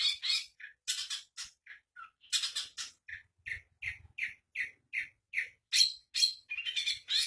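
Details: East Java long-tailed shrike singing a song loaded with cucak ijo and kapas tembak mimicry: rasping broadband bursts alternate with a run of short, clear mid-pitched notes repeated roughly twice per second, then harsh chattering returns.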